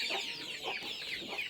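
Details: Chicken chicks shrieking loudly and insistently as their owner herds them: shrill, high, downward-sliding cries in quick succession.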